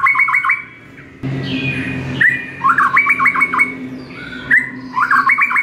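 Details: White-rumped shama song for training caged birds, recorded in the morning: repeated phrases of rapid, clipped, stacked notes, each opened by a short whistle, broken once by a brief swell of rumbling background noise.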